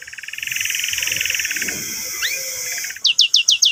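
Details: Singing canary for teaching young canaries and reviving silent singers: a rapid even trill, two brief upslurred notes, then a series of sharp descending chirps, with faint background noise.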